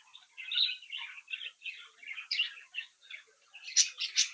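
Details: A brood of pet budgerigar chicks singing and chirping while playing; a run of evenly spaced buzzy warbled notes, ending in a flurry of sharp high squeaks.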